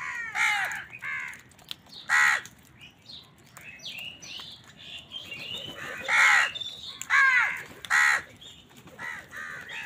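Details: Crows battling wild birds for food call repeatedly, with loud, grating caws every one to two seconds and softer twitters from other birds between them.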